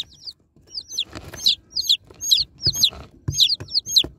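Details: Freshly unboxed baby chicks peep in short groups about every half second, high downward chirps, with sharp knocks and scraping from the box.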